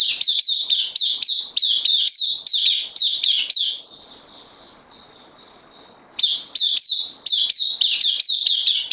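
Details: Caged bulbul newly on loan, recorded 12 September 2020, pours out rapid runs of bright, dropping notes, goes quiet for about two seconds, then restarts the quick series; a thin steady whine continues throughout.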